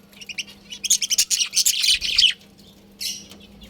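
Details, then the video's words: Rapid chattering from pet budgerigars in a colony: a dense run of quick, buzzy, high chirps, about three or four per second, then a short pause and one more scratchy burst. "Budgies Chirping Sounds"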